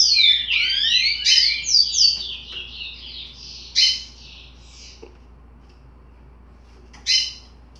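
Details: Curió youngster, 60 days old, sings an unfinished phrase of quick crossing slurs for about three seconds, then mostly quiet apart from two sharp buzzy bursts.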